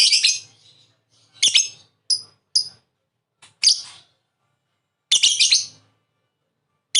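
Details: Lovebird calls used to prompt another lovebird to call: irregular harsh chirps and brief squeaks, some clustered in quick runs, separated by short silences.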